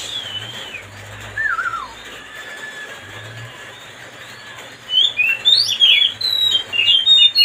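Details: Oriental magpie-robin (kacer) sound used to provoke another bird: faint wavering whistles at first, then from about five seconds a lively run of loud chirps, trills and sharp whistled notes.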